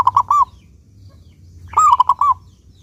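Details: Actively singing local zebra dove with a clear voice, played as a lure to make other doves sing: two phrases, each a quick run of three or four round, ringing coos, separated by over a second of low hum.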